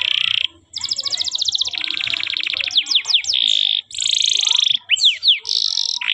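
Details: Canary song used to train young canaries: alternating buzzy held tones and fine rapid trills, broken by quick down-swept whistle notes and short pauses.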